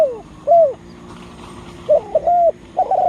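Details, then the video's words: Lure spotted dove, kept to provoke wild birds, calling: a single soft downslurred coo, then a stuttering coo run into a longer mellow note, with a further coo beginning at the end. "Tekukur Dengan Daya Panggil Yg Unik Bikin Burung Liar jadi Emosi"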